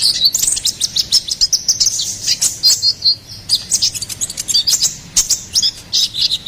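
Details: Energetic song of a ruby-cheeked sunbird, used as a master recording and lure for songbirds: dense high-pitched chirps and brief rising whistles, delivered in rapid bursts about every half second.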